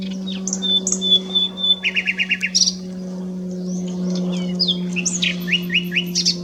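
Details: Singing common nightingale at S'Albufera: a long pure whistle, then a fast stuttering rattle of repeated notes, a pause, and a series of rising and falling whistled slurs over a low hum.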